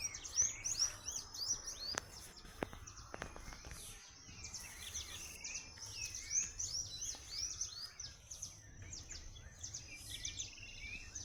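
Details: Birds chirping busily, with many high sweeping and clipped notes overlapping in quick succession, a few sharp clicks early on and faint low background noise.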